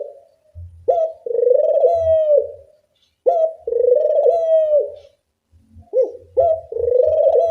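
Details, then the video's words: Puter dove coos from a lure made to train doves' calling. Several long, sustained coos, each introduced by a sharp short note, repeat roughly every two and a half seconds, with a stuttered double note near the end. "Pancingan puter bersuara nyaring, melatih bunyi semua jenis burung puter"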